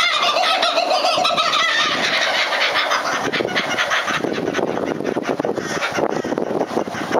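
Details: A family of kookaburras laughing together in a loud, rolling chorus of overlapping cackles and hoots that swell and carry on without a break.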